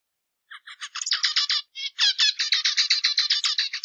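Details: Zebra finch begins with a few soft introductory notes that build into dense runs of buzzy, rasping syllables, briefly pausing once before continuing the rapid song to the end.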